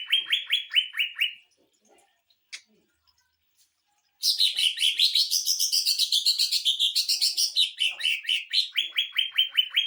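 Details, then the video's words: Greater green leafbird song of the 'sewing machine' burst type, used to tutor and rile up other birds: quick repeated slurred notes, a pause with a faint click, then a long dense buzzy trill that swirls up and down before repeated notes resume. "CUCAK IJO TEMBAKAN MESIN JAHIT UNTUK MASTERAN DAN PANCING EMOSI"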